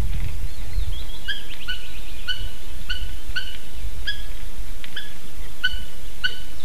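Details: Two adult Eurasian hobbies visiting a nest in Slītere National Park, Latvia, at 9:06 am on 3 June 2021: a series of sharp, clipped notes, several each second, over a steady low rumble of wind.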